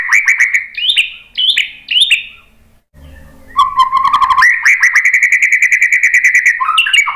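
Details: White-rumped shama song played to prompt other birds to sing: loud whistled phrases with stepped, sliding notes, a brief pause, then a long fast run of repeated chattering notes near steady pitch.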